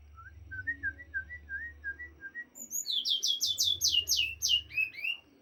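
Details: White-rumped shama song opening with a string of soft short whistles, then a loud burst of about ten steep, high, down-sweeping notes in fast rhythm, with a low background hum.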